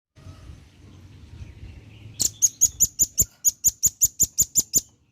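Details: Male velvet-fronted nuthatch calling vigorously to its companions, used as a lure sound: after a quiet low hum, a rapid run of about fourteen sharp, very high chipping notes, evenly spaced about six per second.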